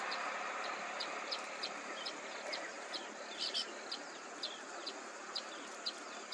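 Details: Pair of tricolored munias feeding in a jowar field at Uruli Kanchan, Pune, Maharashtra, India, in October 2023, recorded on a Nikon Coolpix P950. Thin, high chips repeat about twice a second, faint against a steady broad hiss.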